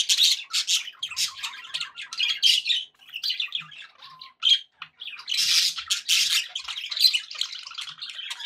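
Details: Happy pet budgie chatter, a lively run of raspy warbles, chirps and squawks, a short lull after the middle, then loud dense chattering resumes.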